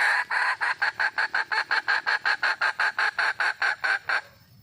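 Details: Wild red junglefowl hen calling for a male: a fast, steady run of about nineteen short, harsh clucks, roughly four per second, each one evenly spaced, before the series stops abruptly and quiet follows.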